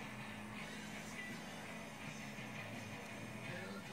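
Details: Low steady background hum, with faint music or vehicle noise and no clear animal call.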